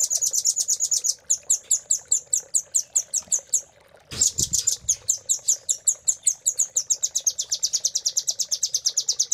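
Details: Velvet-fronted nuthatch master song used to train caged songbirds: rapid series of sharp, high chipping notes repeated in fast trilled runs, a brief break near four seconds with a low thump, then a faster, denser run.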